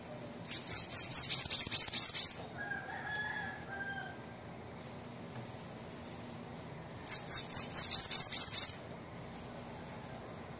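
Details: Bananaquit song to get a captive bird singing: two bursts of rapid, piercing buzzy notes, about five per second, each followed by drawn-out high hissing tones and a faint lower whistle.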